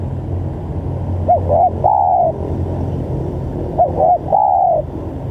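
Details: Spotted dove call meant to provoke rival doves: two soft cooing phrases, each a short doubled coo then a longer sustained coo, partly masked by steady low rumbling noise.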